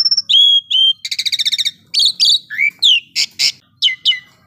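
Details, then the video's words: Energetic song of an Asian pied starling, mixing clear whistled notes, a fast rattling series of clicks, chattering phrases, rising slurs and harsh buzzy bursts in a loud, varied, continuous sequence. "jalak suren gacor"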